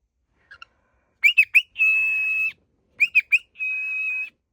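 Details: A cockatiel in the morning whistles three quick rising chirps, then holds a long, steady, high whistle.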